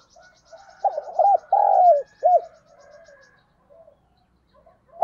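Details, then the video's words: Spotted dove serving as a decoy to draw responses from wild birds: a mid-clip phrase of quick hollow notes, a long drawn coo and a sharp closing note, with soft murmured coos before and after. "Chim Cu Mồi - chim cu gáy kích bổi nhanh nổi và tập mồi hiệu quả"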